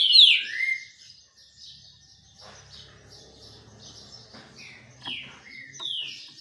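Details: Green-winged saltator singing during a sunbath: one loud sweeping whistled note opens, followed by a faint low murmur, then a few more falling whistles near the end.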